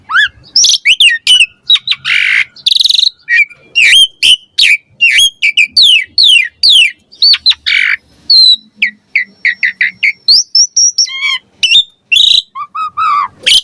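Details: Javan pied starling in full varied song, used to elicit replies and to teach young starlings: a long run of fast slurred whistles, scratchy bursts and chips, with brief gaps and a few steady high notes.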